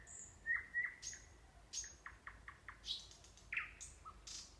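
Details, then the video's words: A nightingale sings near a sanatorium in the Kurchatov district of Kursk Oblast, Russia, with clear whistled notes, a rapid run of clicking strokes and sharp high chirps, phrases varied and quickly delivered. "Пение соловья"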